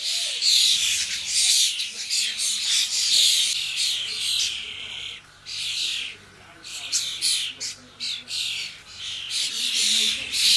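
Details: Juvenile common starlings gathered in a garden, a noisy chorus of harsh, buzzy squawks and rasping calls that overlap almost continuously, with brief lulls near the middle.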